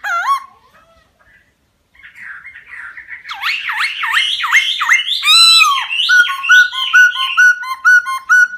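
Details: Forest laughingthrush, a caged songbird, singing: a brief whistle and short pause, then rapid swooping slurred notes building into fast varied chatter and a quick repeated two-part phrase.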